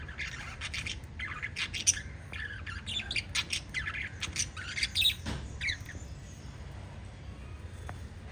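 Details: A small flock of five pet budgerigars gives clustered bursts of high squeaky chirps and chatter, loudest in the middle, fading to quieter scattered notes at the end.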